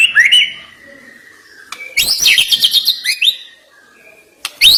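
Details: White-rumped shama song fill. A sweet rising whistle is followed by a quiet gap, then a dense, buzzy burst of rapid varied notes and a closing sharp upslurred note.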